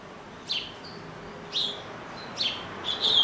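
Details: Caged double-collared seedeater at home in Brazil giving short, sharp descending chip notes spaced about a second apart, with a faint background hum between them.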